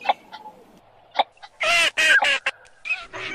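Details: Eurasian teal calling: a few faint soft notes and clicks, then three loud, buzzy, nasal calls in rapid sequence at mid-clip, followed by quieter trailing calls.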